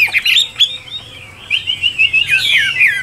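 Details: Chinese hwamei (Garrulax canorus), song.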